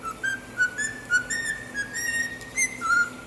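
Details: Whistled melody from a pet cockatiel trained on tunes like the national anthem and Star Wars: a quick series of short level notes at slightly shifting pitches, played in a rhythmic phrase, indoors.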